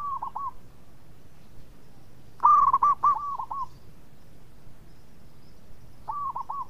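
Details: Actively singing local zebra dove with a melodious voice, kept to coax song from others: a single loud burst of rapid coos near the middle, with a softer short coo phrase at the start and end from another dove.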